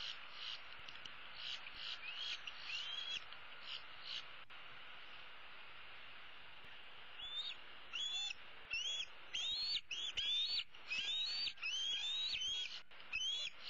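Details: Female bald eagle eaglet perched in a tree on 15 April 2016, begging her parents for food: after a quiet stretch, a run of high whistled notes that slur upward, repeated roughly once a second, each with a faint scratchy edge.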